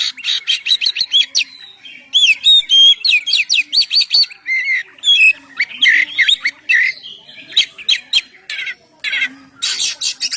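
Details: Oriental magpie-robin in loud, varied song used as a lure for other birds: fast clicking chatter, then twisting whistled and buzzy phrases, followed by dense bursts of harsh scratchy notes through to the end.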